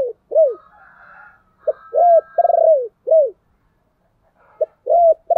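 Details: Spotted dove lure song used to call wild doves: loud arched coos, a rapid stuttering rolled note, then more coos in short phrases separated by pauses, with a faint higher tone behind.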